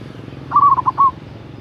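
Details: Single phrase from a loud local zebra dove calling out a rival: a brief, rolling series of four or five soft coo notes, the first longest and the last slightly drawn out, over a low steady hum.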